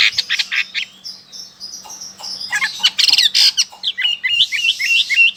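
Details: Loud song of a Chinese hwamei in Sokaraja, Banyumas, Central Java: rapid high chirps, a short sustained whistle, dense burry bursts, then a string of quick upslurred whistled notes repeated several times a second.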